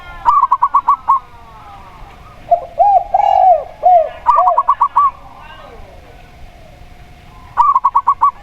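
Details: Zebra dove of local stock alongside a spotted dove. Three rapid staccato bursts of bright, repeated cooing notes are heard. Deeper, rounded coos come from the spotted dove between them.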